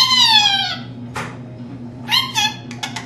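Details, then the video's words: Talking pet lorikeet, a female, indoors: a drawn-out nasal falling syllable, a short harsh burst, then a rush of clipped word-like notes, with a faint steady room hum. "Lorikeet Talking"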